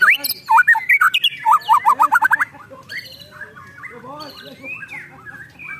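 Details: Agitated ketrekan of a white-rumped shama: sharp whistled phrases and a quick string of up-slurred notes, then quieter scattered chips and soft lower notes fading out.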